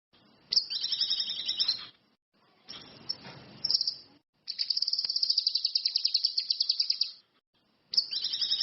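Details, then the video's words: Orange-headed thrush, known locally as cucak kinoi or ranti mas, singing energetically as a lure recording. High warbled phrases with falling notes alternate with a long, rapid, even trill of high pulses, separated by short silences. "SUWARA BURUNG CUCAK KINOI/ RANTI MAS, GACOR"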